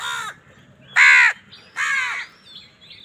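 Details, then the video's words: Crows fighting over food: three hoarse, nasal caws spaced under a second apart, the middle one loudest. Faint high calls follow at the end. "কাকের ডাক Crow Sound Crow ki Awaz Loudly part | Crow bird Fight for Food"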